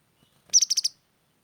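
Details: Sharp-voiced grey-headed canary-flycatcher giving a single quick, high, piercing trill of about five pulses, lasting under half a second, in otherwise quiet surroundings.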